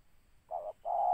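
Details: Spotted dove during a bird-trapping outing: a short low mellow coo followed after a brief gap by a longer, steady hooting note.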